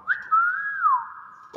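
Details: Talking common hill myna giving a single imitated "wow": a short upward flick, then a long steady whistle that dips and trails off. A brief thud follows at the end.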